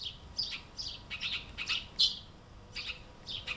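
Epaulet oriole singing a quick run of short, bright notes, about two each second, some clear and whistled, others slightly chattery, over a quiet background.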